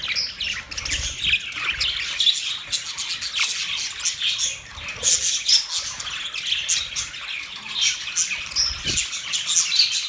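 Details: Several budgerigars keep up a long, unbroken chatter of high squawks, chirps and buzzy warbling, rising and falling in loudness, with a soft low thump near the end.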